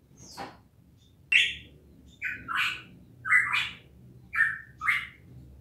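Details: Cucak emas, Papua variety, giving a series of loud, full whistled notes in pairs with short pauses between them, each note rising then dropping, over a quiet low background hum.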